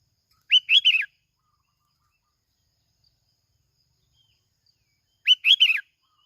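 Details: Bình Thuận sooty-headed bulbul, kít bổi song used as a lure: a short cheerful phrase of rapid, slurred, chirpy notes, then a near-identical phrase about five seconds later, nothing else audible.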